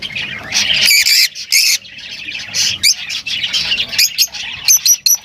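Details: Lovebirds in a noisy flock: continuous high scratchy twittering with loud shrill squawks and short piercing chirps near the end.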